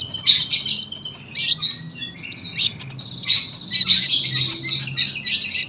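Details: Sunbird used as a song tutor for other cage birds, giving harsh, scratchy high chirps in short bursts, then a sustained buzzy twittering phrase.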